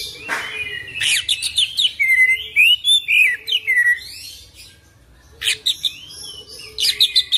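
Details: Kacer song in the full isian ngerol gacor manner: strong varied whistled phrases with upward and downward slurs, a quieter lull midway, then renewed loud bursts of sharp notes.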